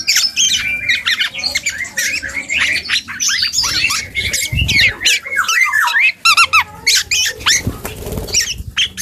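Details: A juvenile dark-throated oriole practising its song, giving a dense, continuous stream of scratchy squeaks, rapid trills and short whistled slurs at high pitch, almost without pause.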